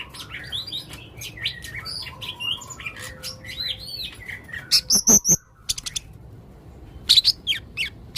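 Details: Male blue-crowned hanging parrot calling: a varied string of short arched chirps and twittering notes, then loud sharp high clicks and thin whistled squeaks in bursts.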